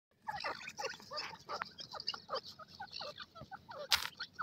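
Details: A pair of francolins in the forest calling, with harsh, cackling, rasping notes repeating rapidly and almost without pause, overlapping and shifting in pitch, then closing with a loud, sharp, broadband burst near the end.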